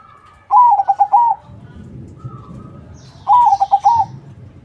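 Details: Zebra dove of crossbred stock in vigorous song, played to make other doves reply: two ringing, pulsed cooing phrases about three seconds apart, with a low murmur and a faint distant coo between.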